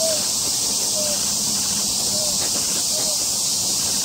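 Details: Northern boobook parent giving soft, low, even hoots, roughly one each second, beneath a loud steady shrill hiss of insects; at its call a nearly fledged chick stands at the nest rim looking around, 2024.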